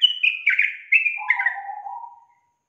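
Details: A yellow-vented bulbul gives one bubbly, chattering phrase lasting about two seconds, its notes stepping down from high to lower, mellow tones, with no other sounds; it is used as a lure call to prompt reluctant bulbuls to sing.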